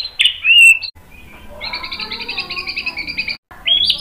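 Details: White-rumped shama singing to goad other shamas into song: a clear downslurred whistle, then a long, softer, steady buzzy trill, a short silence, and a final bright whistled note.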